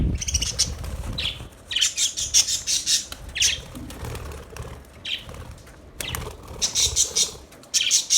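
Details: Budgerigars chirping in bursts of bright, scratchy twittering with short clicks and warbles, separated by brief pauses, plus some low rustling and flapping noise.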